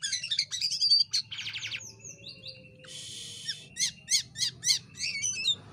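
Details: A jalak kapas (white-shouldered starling) used for training other birds, singing busily: bubbly high warbles, a buzzing rattle, a long harsh rasp, then four evenly spaced sharp chips and soft chatter.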